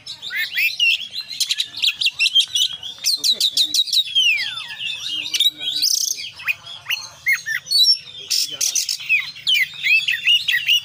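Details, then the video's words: Oriental magpie-robin in energetic 'full isian' song: dense runs of chirps, rapid clicking bursts and a long descending whistle, varied and continuous, with a soft low background hum. "kacer gacor KONSLET full isian"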